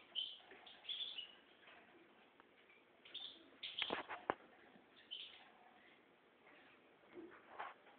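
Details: Goldfinch mule in red mosaic and white plumage, kept for breeding: scattered bright chirps and short twittering phrases, with louder clustered notes near the middle and quiet gaps between bursts.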